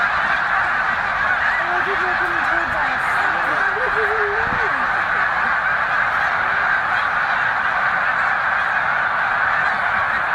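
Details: Enormous stopover flock of snow geese, about 100,000 birds, at Middle Creek Wildlife Refuge between late February and mid-March; a steady, dense din of honks, one nearer wavering call standing out early on.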